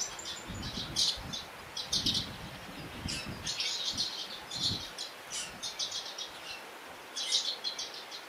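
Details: Eurasian crag martin chirps in Portugal: bursts of thin, high twittering notes in small groups scattered through the clip, with low rumbles and constant background noise.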